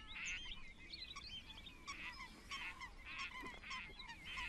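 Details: Water rail at Rutland Water Nature Reserve, recorded January 2022: harsh, noisy squealing bursts repeated roughly every half second, with thin chirps from other small birds in the background.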